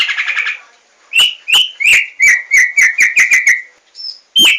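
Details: White-rumped shama song used as a lure to make birds sing: a burbling opening, then a run of about ten loud whistled notes falling slightly in pitch and speeding up, ending with a high note and a sharp call.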